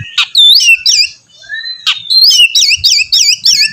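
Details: An Oriental magpie-robin sings to prompt another bird to respond. Scattered sharp notes and a thin drawn whistle lead into a rapid series of repeated two-part whistled phrases, each about a third of a second long.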